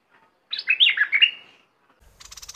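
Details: Decoy red-whiskered bulbul giving one rapid, cheerful warbled phrase of tumbling whistled notes, in either an aggressive or a wild mate-calling style. A brief rattling noise follows at the end.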